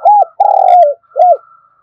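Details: Brief spotted dove kích bổi phrase for provoking quick cooing: an arched hoot, a long rough coo dropping in pitch, then another arched hoot, with a faint steady higher tone behind.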